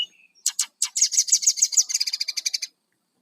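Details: Lively song of a brown-chested jungle flycatcher, played to lure wild birds: a short whistle, then a fast run of high buzzy notes, about three per second, fading out after under three seconds.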